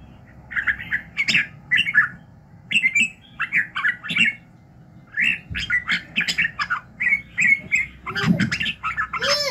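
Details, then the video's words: Red-whiskered bulbul singing in the morning for voice training: long run of lively, repeated warbled phrases, closing with a lower harsh rasping sound. "luyện giọng Chào mào buổi sáng kích lửa hiệu quả"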